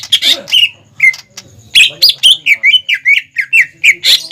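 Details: Training lure of a greater green leafbird for young birds: harsh scratchy notes open, then a quick sequence of bright chirping whistles repeated about three per second.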